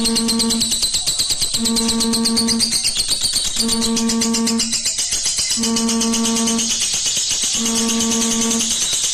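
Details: Rhythmic instrumental music with tambourine and plucked strings, a low droning tone swelling in regular blocks about every two seconds, with dense bright hiss above; no animal voice stands out.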